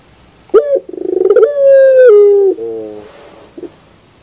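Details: Puter pelung dove singing in the morning: a sharp opening note, a rolling pulsed trill, then a sustained coo sliding gently lower before a quiet low tail.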